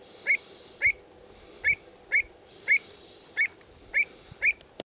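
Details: Pied avocets driving a juvenile avocet out of their territory, with territorial, attack and flight behaviour: clear, fluty 'kluut' notes, one roughly every half second, eight in all, over a soft steady background hiss.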